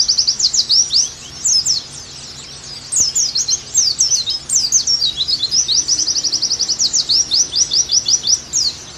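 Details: Oriental white-eye song used as a training recording so caged birds sing actively again: quick high chirps, a quiet gap between 1 and 2 seconds, then dense twittering and a long, steady trill of rapidly repeated notes.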